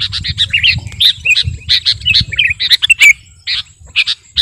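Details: Energetic sooty-headed bulbul, kutilang garuda type, used as master song for bird luring; short bouncy warbles and clipped chirps in rapid bursts, a quieter gap near the end, light background rumble.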